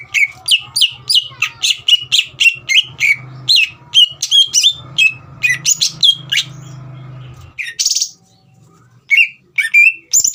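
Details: Caged green leafbird, a lively singer used to provoke a young speckled bird into singing; rapid run of loud, sharp chirped and slurred whistled notes for about seven seconds, a brief pause, then a few more high notes, with a low hum beneath.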